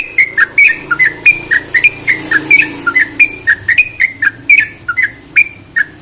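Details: Rapid whistled sooty-headed bulbul song used to get other bulbuls singing, notes sliding up and down in an uneven rhythm over a low background hum.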